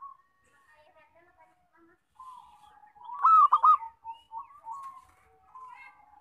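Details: One burst of rapid, rolling coos from a loud local zebra dove used for trapping lures, set among many thin whistles and twittering calls of other birds before and after.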